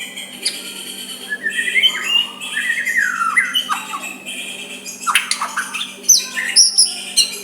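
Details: White-rumped shama in soft song to stir a rival to answer back: slurred whistles and warbles building into sharp, very high squeaky notes near the end, over a steady electrical hum.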